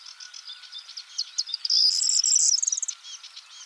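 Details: A male corn bunting singing on a twig in the Czech Republic: a few dry ticks quicken into a high, jangling rattle like shaken keys, lasting about a second and a half.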